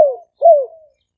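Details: Spotted dove decoy call recorded live at a dove camp in Roi Et, Thailand. Two smooth, mellow coos: the first fades away, and the second swells and then slides gently downward.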